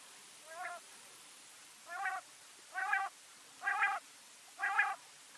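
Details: Quail (batair) associated with Mianwali, Pakistan: five harmonic, nasal notes, each about a third of a second, repeated roughly once a second and growing louder, over faint background hiss.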